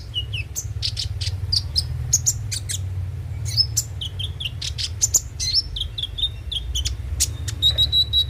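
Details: Brown-throated sunbird (kolibri ninja) song used as a lure to make the bird sing daily: rapid high chirps, short trills and thin whistled notes tumbling in quick succession, over a steady low hum throughout.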